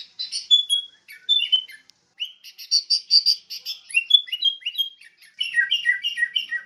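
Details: Training lure of sooty-headed bulbul song: a burst of rich bubbly notes, a pause, then loud repeated buzzy-whistled phrases and a string of falling whistles ending in liquid chatter.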